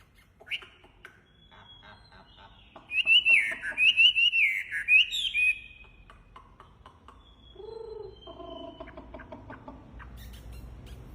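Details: Hwamei (wambi) in full song: after a quiet start, a rapid burst of clear warbled whistles with looping, rising and falling notes runs for about three seconds, followed by lower, softer phrases and faint clicking noises.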